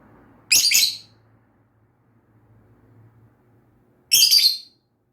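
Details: Lovebird chirping: two loud, harsh, high chirps about three and a half seconds apart, each a quick double note, with a faint low hum between.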